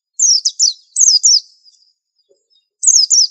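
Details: 'Super antik' white-eye masteran, a dense twittering burst of high, quick down-slurred notes running together, a brief lull, then two more sharp falling whistles; clean recording with little else heard.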